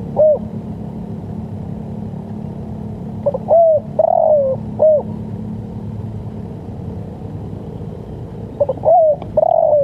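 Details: Spotted dove coo, a recording for training and luring birds: two clear phrases about five seconds apart, each a brief introductory note, a longer sliding coo and a clipped ending, over faint low rumble.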